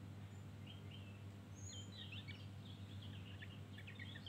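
A Javan grey-throated white-eye twitters in quick, high, chirpy notes and short slurred phrases over a steady low hum.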